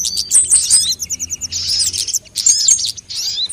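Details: Lure recording mixing several sunbird types, meant to attract birds and get them singing quickly: sharp, high twittering notes in a fast string, then a short pause before another burst of squeaky, tumbling chirps.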